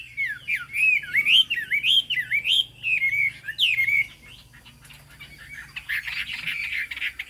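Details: Chinese hwamei singing in the high-pitched 'cao cầu' style: a continuous run of looping, rising and falling whistled phrases for four seconds, then a quieter pause and a harsh buzzy burst near the end.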